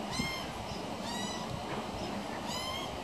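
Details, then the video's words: A baby pied butcherbird, one of two, being fed minced beef by its mother on a veranda railing, gives three harsh, nasal, mewing begging calls, roughly one every second, over a steady background hiss. "Baby Pied Butcherbird Being Fed"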